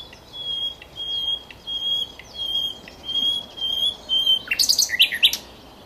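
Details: Common nightingale at Cowpen Bewley, recorded in 2012. A series of seven pure, level whistles, repeated about every two-thirds of a second, then a sudden burst of rapid, rattling, high chirps.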